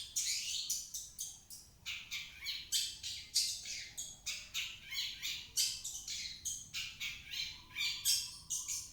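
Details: Long-tailed shrike song used to lure a shrike that will not sing. Rapid harsh chattering runs into scratchy phrases and a few thin whistles, with the notes packed closely over several seconds.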